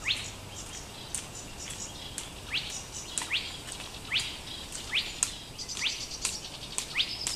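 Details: Spotted crake in Laajalahti, Espoo, near a bird tower on 31 May 2014, moving constantly through cover, unseen but betrayed by its voice: a sharp, rising whip-like whistle about once a second, with small birds chirping faintly behind.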